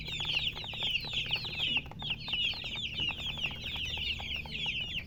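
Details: High, sharply falling chick-like peeps from several chickens, coming in fast rolling runs with a brief pause near the middle, over a faint low hum.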